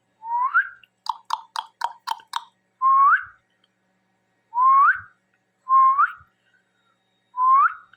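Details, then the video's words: Talking pet parrot giving a loud rising whistle, repeated about every one to two seconds, with a quick burst of sharp clicks between the early whistles. "Talking Parrot"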